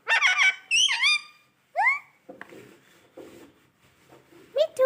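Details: Pet parrot talking indoors: rapid squeaky, harmonic word-like syllables with sharp rising and falling slides, then a pause with faint room noise and a final short squeak.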